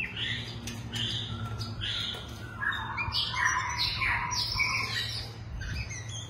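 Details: Long-tailed white-rumped shama in a captive breeding collection pouring out rich repeated whistled phrases that slide downward in quick succession, mixed with harsher squawky notes, over a steady low-pitched hum.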